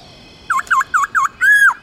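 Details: Black-throated laughingthrush singing to spur pet birds into song: four quick, loud V-shaped whistles in a rapid run, then one longer arched whistle that falls off at the end. The background is quiet.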